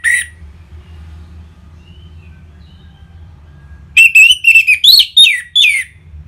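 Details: Orange-headed thrush song meant to spur caged birds to sing: after a quiet pause, a quick run of varied whistled notes, some rising and some falling, over a steady low hum.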